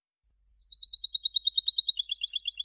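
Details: European goldfinch linked song with two changes, sung clean: a thin high trill starts softly and quickly grows louder and denser into a fast, buzzy, rattling run of doubled notes.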